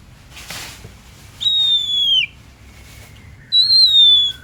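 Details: Kacer, the oriental magpie-robin, singing hard: a long, pure whistle that sags gently at its end, then after a gap a second similar descending whistle, with faint hiss in the background.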